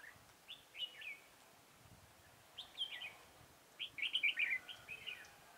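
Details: Red-whiskered bulbul used as a decoy bird for trapping, recorded on 4 February 2018; three bursts of bright, warbled whistled phrases, the last a rapid tumbling run of five or six notes, separated by quiet pauses.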